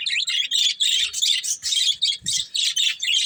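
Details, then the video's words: Pet budgerigars, a breeding pair, chirping in a steady run of rapid, harsh warbled notes, pulsing about three times a second with barely any silence between bursts. "Cute Budgies Chirping Sounds | Love Birds Breeding Pair"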